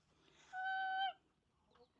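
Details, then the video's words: A hen walking on the edge of a nesting box, apparently about to lay an egg, gives one drawn-out, level, nasal note of about half a second, rich in overtones, then a faint soft cluck. "I don't know what that chicken is singing about it."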